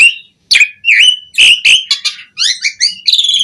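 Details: Loud jalak suren singing, used for training caged starlings: abrupt whistled notes that dip and rise, broken by rasping bursts and a fast series of squeaky chirps near the end.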